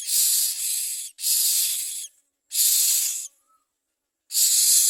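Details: Common mynas bringing food to their young: long, harsh hissing rasps of about one second each, the first two back to back, then a gap with a tiny faint note before a final rasp.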